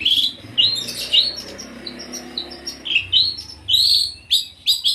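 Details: Long-tailed shrike delivering loud, clear whistled phrases, upslurred notes and short chirps with pauses between, recorded close with little background.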